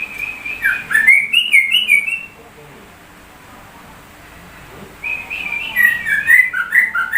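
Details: Sooty-headed bulbul with a song resembling white-rumped shama, two bursts of quick, varied whistled phrases separated by a few seconds of near silence.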